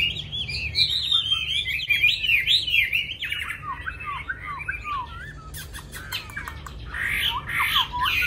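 Chinese hwamei pouring out a loud, varied song of rich rising and falling whistles and quick slurred phrases, with a low hum underneath.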